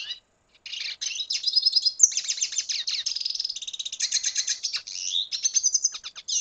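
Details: Venezuelan red siskin in full song, a long, continuous, rapid, high-pitched twitter of buzzy trills and chattering notes that barely pauses for six seconds.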